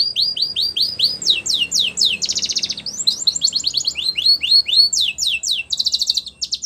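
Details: Male canary in full song, with rapid repeated downslurred whistles about two per second, broken by dense buzzy trill tours, then more rolling slurred phrases.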